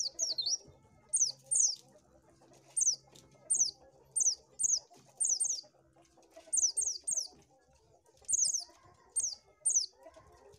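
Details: Oriental white-eye, sound used to lure birds: short high, sharply downslurred chirps, given singly or in quick pairs about every second, over a faint low murmur of background noise.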